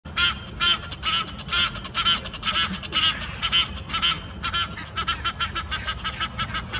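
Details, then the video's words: A pair of Egyptian geese on a sculpture arch shout defiance at another pair flying overhead, giving harsh, raspy honks in a rapid series, about two a second, with a faint low rumble behind. "Egyptian Geese calling"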